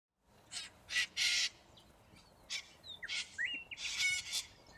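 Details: Large wild flock of corellas feeding on root grass in Australia; harsh, noisy screeches in short bursts, several overlapping, with a few thinner rising whistled notes between them.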